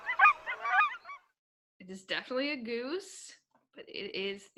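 Cackling Goose giving a few high, yelping honks that rise and fall, each lasting about half a second, after a short burst of chattery sound.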